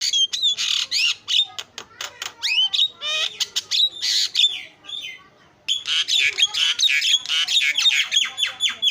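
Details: Javan myna song used as filler material to coax a silent myna into singing: dense chattering bursts of harsh, buzzy notes mixed with rising and falling whistles, delivered rapidly with a short pause midway.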